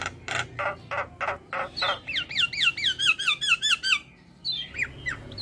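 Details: Starling song played to train captive birds and coax them into singing: a run of rough chattering notes, then a fast series of looping whistled wavers repeated about twice a second, ending in a few sweeping whistles.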